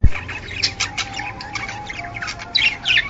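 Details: Male budgerigar mating song: soft scratchy chirps and squeaks under a faint steady hum, growing busier toward the end, with a low thump at the start.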